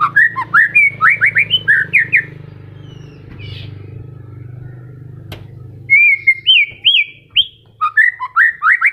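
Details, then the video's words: White-rumped shama in moult, still in full voice: fast, tumbling whistled phrases and slurred trills, a pause over a steady low drone, then more looping whistles and rapid notes. "MURAI MABUNG TETEP GACOR//PANCINGAN MURAI MACET PASCA MABUNG"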